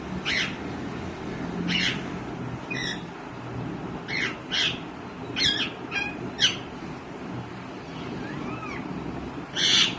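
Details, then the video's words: Green ringneck parrot calling repeatedly with short, scratchy, broadband squawks at irregular intervals, and a faint rising-falling whistle near the end, over low background noise. "Green Ringneck Parrot Patha Start Talking & Calling Different Natural Sounds"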